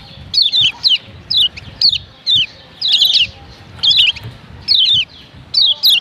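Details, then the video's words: Female kecial kuning, the Lombok yellow white-eye, giving calls meant to rouse males: bright, high, descending chirps in small bursts about every half second to second, over a soft low hum. "Ciak Ciak Kecial Kuning BETINA Ampuh Bikin Kecial JANTAN RIBUT‼️"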